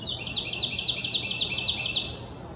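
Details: Carolina wren in Brookbanks Ravine, Deerlick Creek, Toronto, 24 April 2020, near foraging hermit thrushes, singing a loud, rapid run of repeated rolling phrases, bright and mid-high, five or six notes a second, over soft hiss.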